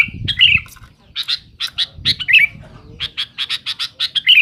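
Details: Sooty-headed bulbul, a male singing noisily and persistently to challenge rivals: harsh, squawky chattering bursts in rapid runs, then a steady series of short buzzy notes about five per second, with faint low rumble early on.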